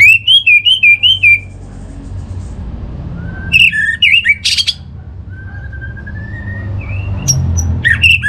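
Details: Orange-headed thrush song used as a lure to get another bird singing: loud clear whistled phrases, a rapid run of rising and falling notes, then pauses broken by sharp squeaky notes and a long thin whistle.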